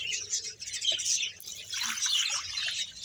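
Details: A Bahawalpur colony of 100 budgerigar pairs fills the air with thick, continuous chirping and warbling from many birds, with brief louder bursts and a soft low hum beneath.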